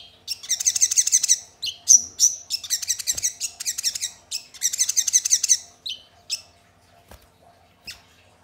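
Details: Crested jay lure for prompting birds to sing and get worked up: loud, fast rattling series of high harsh notes in several bursts, then a few scattered single calls before near silence.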